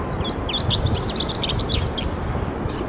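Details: On 10 July 2015, a chestnut-eared bunting singing on a power line gives a quick two-second jumble of high, thin chirps and twitters over a steady low rumble of wind or distant traffic; chestnut-eared bunting.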